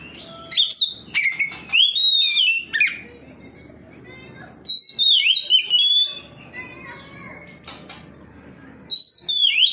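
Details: Oriental magpie-robin singing in full 'ngeplong' style, answering another magpie-robin and unloading its repertoire: bursts of clear whistled, slurred notes and sharp chips, separated by pauses, with a low background hum.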